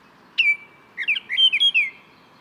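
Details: Baltimore oriole song: one long, steady, clear whistled note, then a quick run of short, slurred whistles rising and falling, all high and flute-like against a quiet background.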